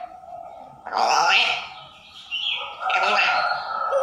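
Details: A grey parrot (Psittacus erithacus) mimics human speech, said to be Vietnamese, in two bursts of human-like talk mixed with sharp whistled and chattering tones.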